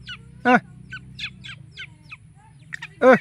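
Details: Wild Black Francolin, with chicks, calling in freedom: two loud, harsh, rich-toned calls about two and a half seconds apart, with soft, short high chirps scattered between them over a low steady hum.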